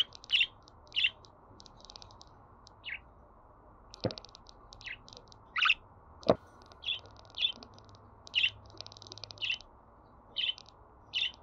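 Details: Budgerigar calls for pet birds to hear before they sing: short, buzzy chirps repeated roughly every half second to second, with soft ticking between them and two sharp clicks.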